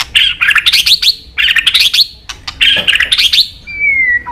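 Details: White-rumped shama singing steadily with many inserts, here three bursts of fast, scratchy, chattering high notes, each lasting about a second, then a thin descending whistle at the end.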